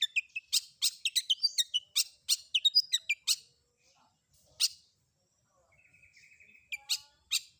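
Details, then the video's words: Long-tailed shrike, known as cendet, in a combined fill-in song: three seconds of dense harsh rasps mixed with short whistled slurs, a pause, a single rasp, then a faint trill and two more harsh notes. "Suara Isian Kombinasi Cendet"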